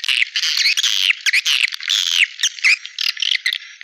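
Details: Swiftlet lure calls used to attract swiftlets: dense, overlapping buzzy twittering and chirps from many birds, with rapid clicks and sweeping notes packed together, without pause.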